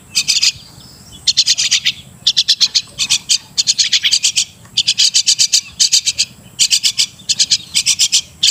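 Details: Martinez bird, the crested myna, producing a steady run of harsh clicking rattles, grouped in short bursts repeated roughly every second across the recording.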